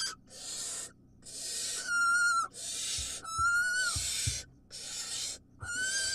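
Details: Wild barn owl chicks and mother at feeding time. Loud broadband hisses alternate with wavering, tonal screeches that drop slightly at the end, plus soft thumps from movement.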